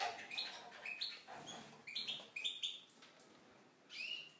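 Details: Tunisian goldfinch in an aviary delivering a lively song of rapid, tinkling chirps and brief rising whistles, one phrase after another, ending with a longer bright trill.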